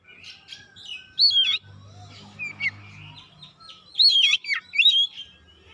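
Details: Oriental magpie-robin lure song, meant to provoke other birds, delivered fast and fiercely: loud, high whistled phrases with sharp slurred up-and-down notes in bursts around one and four seconds, softer chattering between, faint low rumble beneath.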